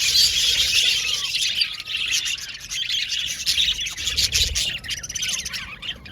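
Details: Caged male budgerigars, blue and violet, squawk and chirp in an uneven chattering mix, louder at the start, with scratchy calls and soft low bumps in the background.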